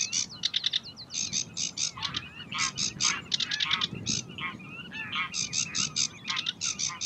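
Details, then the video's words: Sedge warbler at Uitkerkse Polder, Belgium, in May 2016, pouring out a fast, scratchy song of chattering, repeated notes mixed with sweeter whistled phrases, almost without pause. "Phragmite des joncs (Acrocephalus schoenobaenus) Sedge Warbler"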